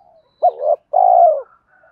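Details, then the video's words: Fighting coo of a spotted dove, used as a lure for trapping wild doves: faint murmuring, then a hooked short note rising into a swell, followed by a long, rich, slowly falling coo. "tiếng cu gáy Thúc Đấu bổi nghe nhanh gáy và nhanh về cội khi đi gài"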